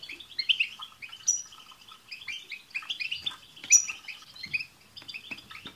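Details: Chorus of European goldfinches, a group recording used to encourage a pet goldfinch to sing, with constant overlapping twitters, liquid chirps and buzzy rattles, plus occasional bright high whistled notes standing out above the jumble.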